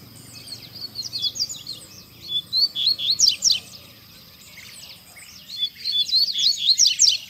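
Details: Rusty-collared seedeater singing loudly while loose in a town square in Brazil; bursts of rapid high twittering and slurred whistled notes, two phrases separated by a short pause, over faint background noise.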